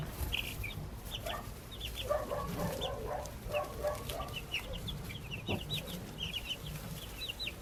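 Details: Backyard baby chicks give scattered high peeps alongside lower clucking-like murmurs in the middle and a sharp knock.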